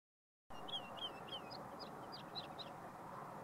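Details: Woodlark at la Puebla de Valverde: a series of about eight high, slurred notes repeated at a steady rapid pace, each a short sweeping whistle, over a constant low background rumble.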